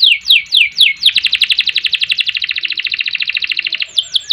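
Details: A canary sings in the rolled ngerol style: a few sharp falling notes lead into a steady rapid trill of evenly spaced pulses lasting nearly three seconds, then more downslurred notes.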